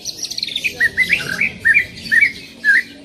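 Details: Greater green leafbird in loud 'tembakan' song: a burst of high, fast twittering, then short, bright chirps and slurred notes repeated about every third of a second, with faint room noise.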